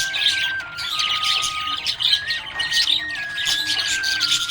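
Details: Happy pet budgerigar chirping: dense, scratchy high chatter and rapid twittering throughout, with steady sustained melodic tones from background music stepping between pitches.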